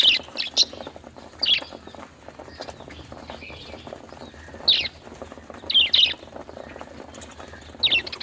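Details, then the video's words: Budgerigar, an Australian parrot, giving short bright chirps in scattered bursts of one or two notes, separated by quiet gaps, over a faint low background hum. "budgie sounds | Australian parrot sounds | parakeet chirping sounds | bajri parrot ke awaz"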